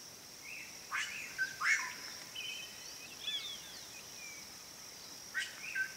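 Swallow-tailed cotinga giving a few sharp, high upswept chips and short thin whistles at irregular intervals, over a steady high insect-like hiss.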